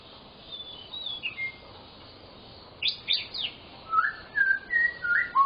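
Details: White-rumped shama singing to prompt silent shamas: soft high notes, then a burst of sharp rising notes and a string of whistled downslurs repeated roughly every half second.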